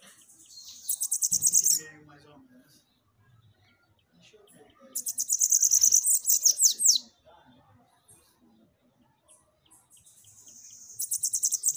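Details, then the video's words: Bananaquit song played to fire up captive birds: three bursts of high, buzzy, rapid chattering about two seconds each, ending in quick falling sweeps, with quiet pauses between them. "CANTO para FOGUEIA SIBITE, deixe seu SIBITE FOGOSO!"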